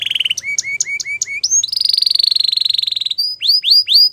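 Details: Song of a Belgian canary in the morning: chirped phrases, a long rapid rolling trill, then slurred rising whistles, all bright and high-pitched.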